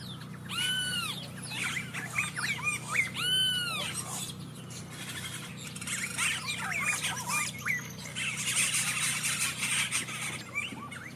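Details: Yellow-rumped caciques, a colonial nester, keep up a busy, noisy chatter, said to do this when they have eggs: two loud, ringing, arched whistles among rapid squeaks, squawks and liquid notes.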